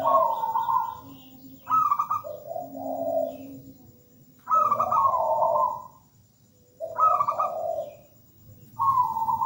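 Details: Zebra dove, a local bird singing: four loud phrases roughly two seconds apart, each a high rippling trill followed by deeper mellow coos, with quiet gaps between.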